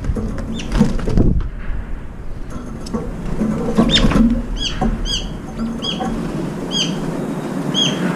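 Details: Feeding brown-eared bulbuls fight at a feeder, some chasing others away. After low bumping and fluttering, short arched squeaky notes repeat in small groups every second or so.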